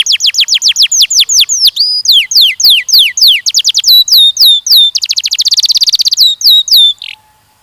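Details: Canary, from a session training young males and females for mating, sings steady descending whistled notes that become hooked rising-falling phrases, then a dense rapid trill before falling quiet.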